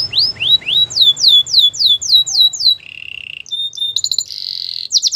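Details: Canary performing a training song: loud descending slurred whistles at about four a second, a low buzzy roll, then short high notes and a sustained buzzy trill, over a faint low rumble.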